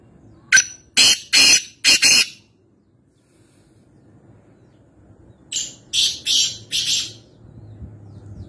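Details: At Nawabshah, Pakistan, a black francolin utters two phrases, each of four or five loud, grating, rhythmic notes, with a short quiet gap between them over faint low background noise.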